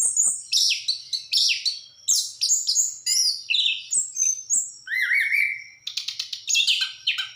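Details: Orange-headed thrush, called anis kembang, singing a fast medley of buzzy and whistled notes, including a long rising whistle near the middle and rapid stuttering trills toward the end.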